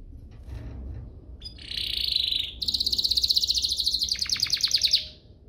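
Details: Canary singing, a recording played to stir other canaries to sing: a buzzy sustained note followed by a fast, even rattling trill of about three pulses per second, ending in descending strokes, over low background hum.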